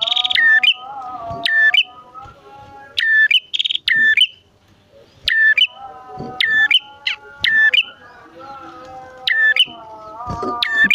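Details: Bar-winged prinia pair, male and female, singing vigorously as a lure for wild birds and to stir caged prinias into song; series of sharp, ringing chirps in irregular bursts with brief gaps and a steady low tonal hum beneath.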